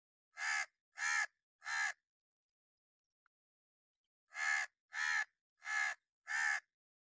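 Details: Angry crow, possibly a hooded crow, giving sharp, loud warning caws: three evenly spaced hoarse calls, a silence of more than two seconds, then a series of four more in steady rhythm.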